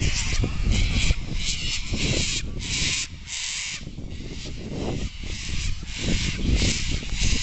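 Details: Large flock of sulphur-crested cockatoos in Sydney's Royal Botanic Gardens gives harsh, grating screeches in overlapping bursts about once a second, with a steady low rumble of wind or distant traffic underneath.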